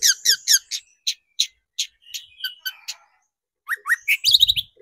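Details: Long-tailed shrike on a lure recording meant to excite shrikes: quick sharp chips and scratchy notes, then rising whistled slurs and a loud, high, rapid twitter, with a brief low rumble.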